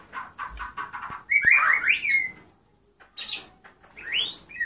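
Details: Sparrows in Souq al-Shuyukh, Iraq, give a run of quick repeated chips, then bright rising and falling whistled phrases, a short burst of high twittering and a final upward-sweeping note.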